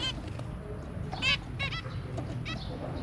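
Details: Zebra finch family of two adults and three young, recorded 23 January 2022, giving brief nasal, trumpet-like beeps in small clusters, with constant low-pitched background noise.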